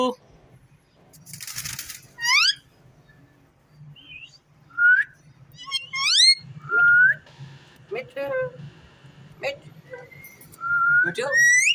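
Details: Pet ringneck parrot producing scattered short rising whistles and upswept notes separated by pauses, with a noisy burst early on and a strong rising whistle near the end, over a faint hum.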